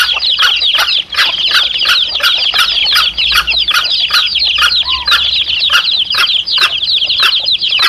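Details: Chicks calling with their mother hen, recorded to lure wild junglefowl: continuous shrill cheeping of a brood, short downward notes crowding together, over regular crisp ticks about twice a second.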